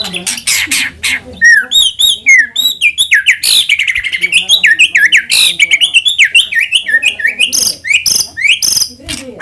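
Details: White-rumped shama in full, rich lure song meant to set other shamas singing. A fast, continuous stream of varied notes: zigzag whistles, rapid chattering phrases and sharp chips, nearly without pause.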